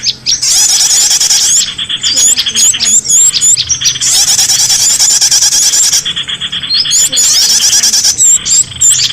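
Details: Small birds calling, a lure sound for bringing escaped cage birds back home: dense, high chirping and squeaky twitters in long continuous bursts, over a steady hissing background, with short breaks every couple of seconds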